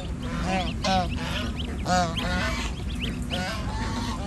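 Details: Domestic gosling, six days old, on a village farm in India: repeated quavering, slightly nasal peeps in short overlapping bursts, about one strong call each second, over a constant low hum.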